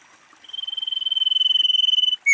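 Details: A female common iora gives its luring call: a long, steady, rattling trill that swells in loudness over nearly two seconds, then starts a sharply falling whistle at the end.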